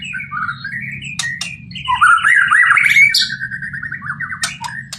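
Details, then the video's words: Loud, fast warbling trills from a White-rumped shama, rippling up and down in a continuous stream with sharp clicks and a high squeal mixed in. "murai batu"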